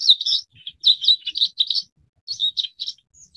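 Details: Forest wagtail, also called wood or tree wagtail, Dendronanthus indicus: loud, clear high notes in quick paired bursts, a repeated rhythmic phrase sounding like a rapid two-part see-saw, given in runs separated by short pauses, no other sounds.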